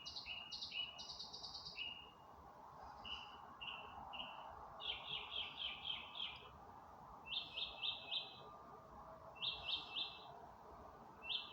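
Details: Birds singing in the dark of night on May 27, 2025: varied high chirped notes, then rapid stuttering trills in short bursts repeated every second or two, over a steady low background hum.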